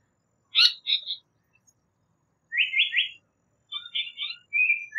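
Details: Japanese paradise flycatcher song: sharp buzzy notes open, then a triplet of rising whistles, followed by softer warbled notes and a final drawn-out whistle.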